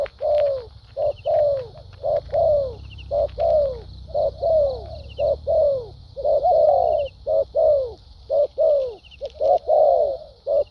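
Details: Spotted dove in a cooing contest, in the thúc gù and lèo dặm styles: fast, regular volleys of short hoarse coos with falling tails, about one each half second, sustained for the whole stretch over a steady high hiss.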